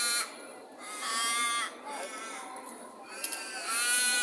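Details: In Perth during the day, birds give long nasal squawks: a loud drawn-out call, fainter ones, then another strong squawk at the end, with a short click and steady street hiss.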